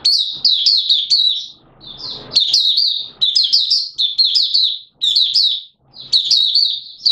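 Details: Malaysian Oriental white-eye kept by a bird hobbyist, 'buka sing' open singing, Singapore, warm and humid with sudden showers, 29 March 2023: long runs of shrill, fast twittering with sharp slurred notes and brief gaps.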